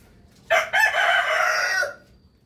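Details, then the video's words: Rooster crowing in the morning: one loud, harsh, drawn-out crow lasting about a second and a half, opening with a short note and then holding a steady, slightly falling tone before cutting off. "rooster crowing sound effect"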